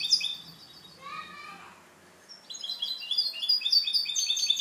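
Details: European goldfinch hybrid giving clean song, kept as a tutor for other birds. It sings a fast, bright jumble of tinkling, twittering notes, pauses briefly, then bursts into another rapid high-pitched phrase.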